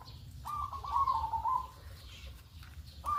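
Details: Morning call of a local zebra dove used as a lure to prompt other birds to call: a drawn-out vibrating coo sliding slightly downward, then another coo starting, with steady low rumble behind.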